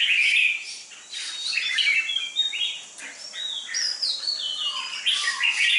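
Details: Red-whiskered bulbul kept for competition, a dark-bibbed 'chào mào mộc đỏ' with a killer fighting style. Its song mixes clear, ringing whistled notes with slurred, rising and falling phrases, sung almost continuously.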